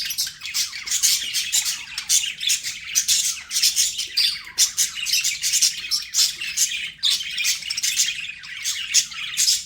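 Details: Chattering pet budgerigars, a lively, high, buzzy warble of quick chirps packed into continuous bursts, loud and even across the whole stretch.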